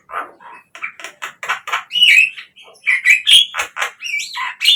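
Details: Javan myna song used to spur captive birds into singing, running from lower grating notes into higher whistled slurs and squeaky chirps.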